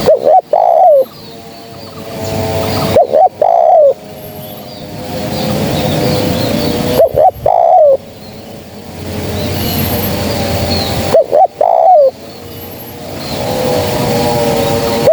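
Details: Spotted dove cooing from a trapping lure recording, four phrases about three to four seconds apart. Each is a brief coo and then a drawn-out descending note. A steady tonal hum and faint chirps run underneath.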